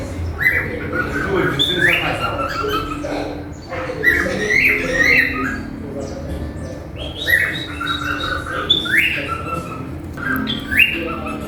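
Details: A pet cockatiel sings, apparently to a companion bird, a run of bright whistled notes that rise and fall in quick, warbling phrases.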